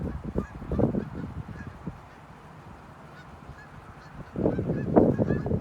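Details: A gathering gaggle of Canada geese honks in loose, overlapping bursts, with a quieter lull midway before a louder flurry of honks near the end.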